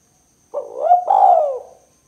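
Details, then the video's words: Spotted dove giving a 'kuk 2' style coo used for luring and prompting birds: a low mellow opening note rising into a second longer, fuller coo that slides downward and fades, in a quiet background. "Suara Burung Tekukur Kuk 2 Paling Gacor Terbukti Ampuh Untuk Pikat & Pancingan"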